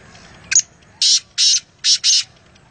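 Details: Wild black francolin, Nawabshah: a short scratchy lead-in note followed by four loud, grating, broadband notes in two pairs, over low steady background noise.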